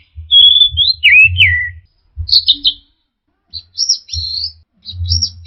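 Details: Orange-headed thrush singing, played to train caged birds: varied high whistled phrases, sliding notes and quick warbles, a falling twisted phrase near the start, in short bursts with pauses, over low thudding background noise.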